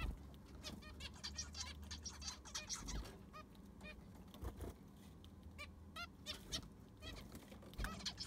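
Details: Zebra finches in an aviary during cleaning and fresh sand replacement: a flock giving short, nasal, honking calls in quick irregular bursts that overlap one another, over a steady low hum and some scraping.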